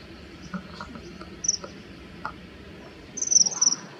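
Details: Rival male common kingfishers in a territorial fight, calling threateningly mid-air. Faint clicks come first, then a burst of sharp high shrill notes late in the clip, over a low ambient hum.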